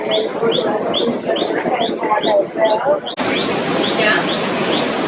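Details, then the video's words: Tailorbird of South and Southeast Asian parks and gardens, giving a fast series of loud, sharp rising notes, about three per second, over a dense background hum, with an abrupt change in ambience partway through. "Tailorbird Call"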